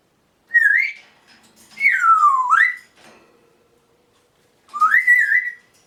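An African grey parrot gives three clear whistles a few seconds apart: a short warble, a long falling-then-rising slide, and a rising twist. A faint indoor hum sits underneath.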